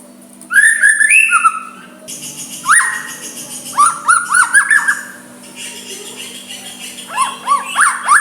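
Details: Soft white-rumped shama song used to goad a rival into replying; clear whistled notes in short rising-falling groups, quick repeated chips after long gaps, over a low constant hum.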